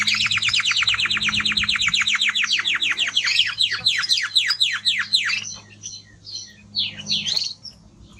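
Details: Male timbrado canary: roughly five seconds of rapid, repeated downslurred whistles that gradually slow and spread out, then a pause and a couple of softer, high chirping phrases.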